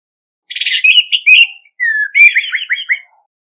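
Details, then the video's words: Orange-headed Thrush (Geokichla citrina) competitive song with no background noise: a burst of harsh notes, then clear whistled phrases and rapid slurred trills over about three seconds. "Tiếng chim Hoét lửa mồi hót đấu không tạp âm"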